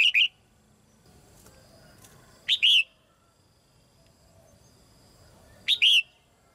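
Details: A female red-whiskered bulbul in a cage sings so young birds will sing more. Short bright whistled phrases of two or three slurred notes come about every three seconds over a quiet background.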